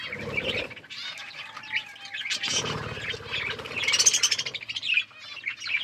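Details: Budgies feeding and playing: dense, buzzy warbling chirps and squeaks, with rustling and pecking noises from the birds underneath and a brief thin tone midway.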